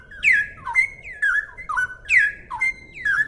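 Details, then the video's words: Clear, active cucak rowo (straw-headed bulbul) song in the rapid 'ropel' style, used for tutoring songbirds: rich looping whistles dipping and rising in quick phrases, about two per second, with a faint low background rumble. "suara burung cucak rowo jernih buat masteran"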